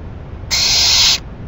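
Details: ['Owl that receives a rabbit as food on a May 2012 night gives one steady, breathy hiss lasting about 0.7 seconds.']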